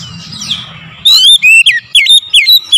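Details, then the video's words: Morning song of an oriental magpie-robin: after a soft whistled lead-in, a burst of loud, varied whistles and slurred rising and falling notes delivered rapidly, with brief gaps between phrases and low background hum. "TERAPI PANCINGAN AMPUH KACER DIPAGI HAR1"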